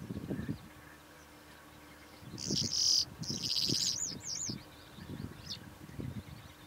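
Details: Calandra lark song: bursts of buzzy, scratchy high notes followed by a few looping whistled phrases, over low thumping and rustling noise.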